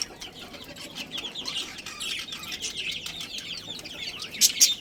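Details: Caged budgerigar colony with a breeding pair: steady busy chatter of many high chirping and warbling voices, ending with two sharp, loud squawks.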